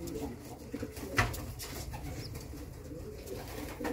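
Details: Low, murmuring coos from a mother racing homer pigeon kept indoors, a steady soft burble with one sharp tap and light rustling.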